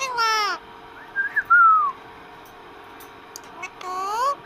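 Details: Pet parrot talking with its owner: a strong, harmonic, voice-like call, a short wavering whistle sliding downward, a pause, then another rising harmonic call.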